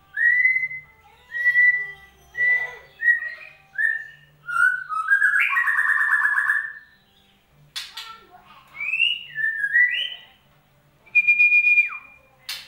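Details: White-rumped shama song played as a lure to get a silent caged bird singing: a varied run of clear whistled notes and slurred phrases, some rising, some falling, with a brief rich warbled passage midway and pauses between bursts.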